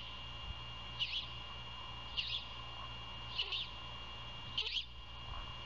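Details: At a great horned owl nest near Savannah, Georgia, at night on 27 February 2022, during prey handover and feeding, four hoarse, hissy screeches repeat about every 1.2 seconds, with a faint knock and a low steady hum behind.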